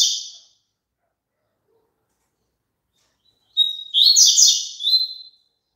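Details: Double-collared seedeater song used as playback for caged birds to sing along with: after a brief fading note and a long silence, a phrase opens on a clear steady whistle, then breaks into fast buzzy, chattering trills.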